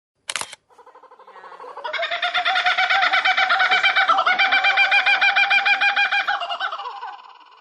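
A laughing kookaburra starts with low chuckles, then breaks into a loud, rapid, rollicking laugh of harsh repeated notes that swells and then fades. A sharp click comes first.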